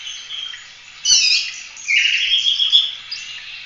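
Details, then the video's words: Oriental magpie-robin (kacer) singing in the gacor full-roll tembak style, used as a master song for training other birds: a faint chatter, then loud bursts of harsh, buzzy, whistled phrases at about one and two seconds, with sharp clicks. "Kacer gacor ful roll tembak cocok buat masteran"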